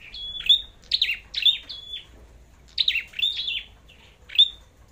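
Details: Red-headed flowerpecker in a singing contest: rapid bursts of high, sharp downslurred notes, each closing on a thin piercing whistle, grouped in two clusters with a short pause between.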